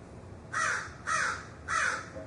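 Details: Three loud, raspy crow caws, evenly spaced about half a second apart, heard over a low background rumble.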